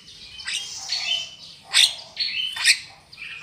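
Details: Black-winged myna lure calls for trapping: three loud harsh screeches, each preceded by a rising whistled slur, spaced under a second apart over faint background hiss.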